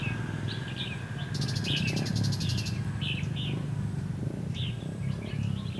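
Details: Red-whiskered bulbul decoy singing a fighting song during trapping, 23 October 2016: short warbled phrases at intervals, a buzzy rapid pulsed rattle in the first half, and heavy low-pitched rumbling noise throughout.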